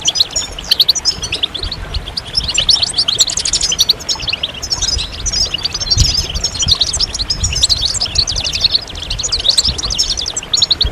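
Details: Long stretch of massed European goldfinch song, a stimulation chorus to bring birds out of moult; ceaseless high, jingling twitters and trills overlap from many birds, over a steady low hum.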